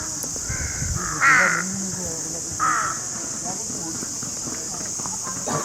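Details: Crow producing two strong, harsh caws about a second and a half apart, with a softer call before them and a steady hiss throughout.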